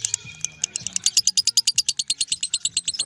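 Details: Lovebird singing ngekek, its extended continuous chatter: a few irregular notes build into a quick regular train of bright, sharp high chirps, about three each second.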